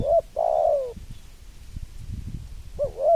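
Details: Spotted dove cooing: a short coo followed by a long, slightly falling drawn-out note, then a pause before a new two-note wavering coo begins.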